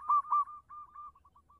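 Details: Local zebra dove, a clear-voiced active singer: two loud coos followed by softer trailing notes that stretch and fade, with a faint low hum behind.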